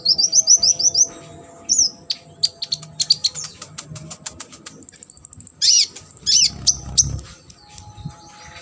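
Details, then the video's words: Varied sunbird song intended as master material for competition birds: a fast series of high twittering notes, rapid clicking trills, a thin sustained whistle, and loud sharp chirps sweeping down, with a faint hum behind. "KONIN GACOR ISIAN MASTERAN UNTUK BURUNG LOMBA"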